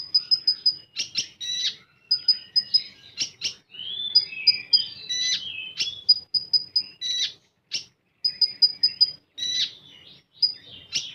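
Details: Common iora singing in a full, rapid-fire style: runs of short, sharp, high piping notes repeated in quick bursts, mixed with buzzy chirps and varied warbled phrases, separated by brief pauses.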